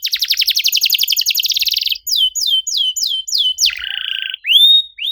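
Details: Canary song, 'cuit cuit' style, played to get quiet canaries singing: a fast rattling high trill for two seconds, several falling chirps, a low buzzy churr, then rising whistles.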